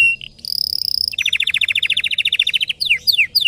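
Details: Red Belgian canary in intense song: a short note, a long high whistle, then a rapid rolling trill and a few quick descending sweeps; soft low background rumble.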